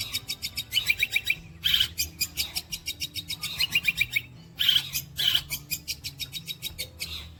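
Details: Long-tailed shrike imitating other birds and an insect, named as kuntilanak, gereja petir and walang kecek: long runs of rapid ticking rattle pulses alternating with bursts of shrill chirped notes, with two brief pauses.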